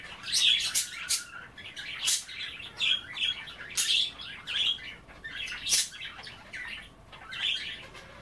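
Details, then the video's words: Pet budgerigars at bath time, nibbling kale in water, keep up a busy chatter of short whistled chirps and scratchy notes, about one burst every two seconds. "A day in the life of a Budgie - kale bath and chattering"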